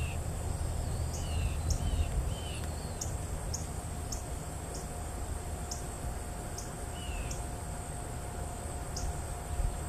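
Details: A juvenile Mississippi kite while feeding gives thin, high, down-slurred whistles every few seconds, with sharp high ticking notes, over steady wind rumble and a high insect drone.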